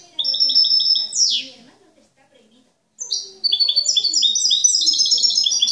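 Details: Captive European goldfinch, described as an exemplary singer without faults or discordant notes, delivers rapid high twittering trills, a descending buzzy sweep, a brief pause, then a fast stream of tinkling repeated notes.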